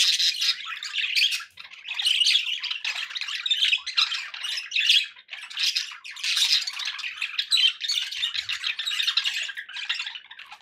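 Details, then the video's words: Indoor budgerigars give a long rattling chatter, rapid raspy notes and squeaks running together with few gaps. "budgie sounds for pet birds"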